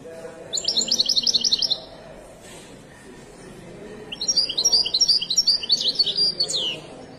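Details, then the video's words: At the Souk Lqriaa bird market in Casablanca, a Moroccan widani goldfinch sings two phrases of fast, high, jangling twitters. The second phrase is longer and ends in a falling slur, over a low hum of people. "تغريدة طائر حسون ويداني مغربي"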